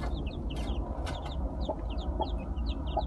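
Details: Several freshly hatched Gold Brahma chicks from a broody hen give rapid bursts of thin, high, falling peeps, overlapping one another, with occasional lower clucks, brief rustling and a constant low hum.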